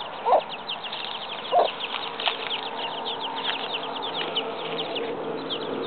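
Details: Seven chicks and their mother hen in a yard: two deeper clucks at the start, then a busy stream of thin, high, downward-slurred chick peeps repeating throughout.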